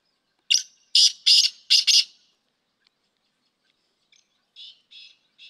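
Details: Black francolin training call: a loud phrase of five rasping, clipped notes, followed by quieter, more distant-sounding harsh notes.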